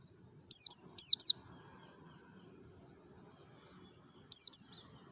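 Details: Wild-style mountain white-eye lure from Merapi, used to get other white-eyes calling: two quick pairs of sharp, high descending chirps, a long quiet gap, then one more pair, with low background rumble.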